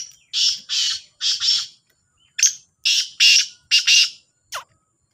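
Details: Two black francolins, the Sindhi kala teetar, call against each other: two grating multi-note phrases of harsh buzzy bursts in quick succession, closing with a short downward-sliding note.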